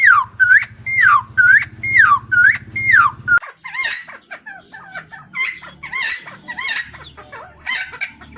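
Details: Helmeted friarbird, a Nusa Tenggara endemic, in a long lure recording for trapping: loud repeated two-part phrases, a falling slurred note then a short upturned one, about once a second, followed by a busier stretch of varied gurgling, chattering notes.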